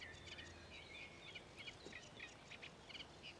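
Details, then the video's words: Common ringed plovers at Ilmatsalu on 1 June 2017 give short, high, rising whistled notes in quick, uneven succession. The notes are fairly faint against steady background noise. "Liivatüllid / Common ringed plovers"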